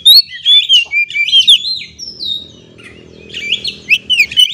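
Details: Song of an Oriental magpie-robin used to lure stressed captive birds into singing: loud rich warbled phrases with buzzy trills, a sustained whistle, a quieter gap, then more rapid varied notes.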